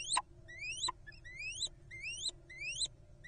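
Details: A pair of little owls squeaking, with thin rising whistles that climb steeply, repeated about every half second to second, each ending in a sharp click, likened to a guinea pig's squeaks; quiet background.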